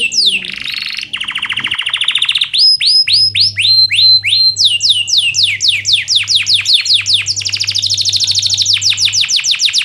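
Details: Singing canary used as a tutor recording for canaries that are lazy to sing; a continuous, loud, high song of rapid rolling trills and downward-sweeping whistled notes, changing phrase every second or two, over a faint low hum.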